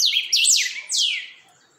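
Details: Creamy-bellied thrush (chalchalero) steadying its song: three quick, clear phrases of high whistled notes sweeping steeply downward, the last a long falling slur that fades out.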